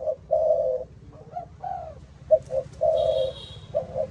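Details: Malaysian-line spotted dove with the 'âm thổ' voice, cooing in short and long deep notes; a thin high whistle sounds briefly near the end.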